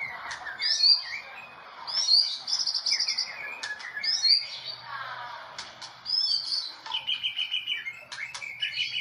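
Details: Medan white-rumped shama, national winner at the 2018 Presiden Cup, in varied song. Bright whistled upslurs are repeated about every two seconds among scratchy warbles, with fast rattled bursts in cililin style near the end.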